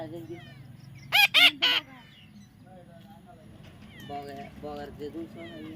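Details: Baby parrot during taming, giving three loud, harsh, raspy squawks in quick succession, followed by softer, shorter nasal calls repeated at intervals, over a low background hum.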